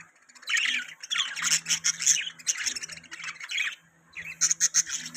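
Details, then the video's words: Budgies chattering continuously with warbled chirps and harsh squawky notes, ending in a few quick high clicking chirps after a short lull. "Budgies Chirping Sound"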